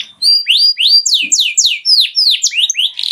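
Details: Canary song in the moshti style, offered for training young birds and stimulating mating: a fast run of bright, rising whistled sweeps and slurred notes, roughly four per second, ending in a buzzier trill.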